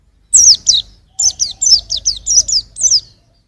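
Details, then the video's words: Young white-eye giving a lively series of high, clear chirps, each note sliding downward, delivered in a steady run of about ten notes with a short gap after the first two. "suara burung pleci masih muda"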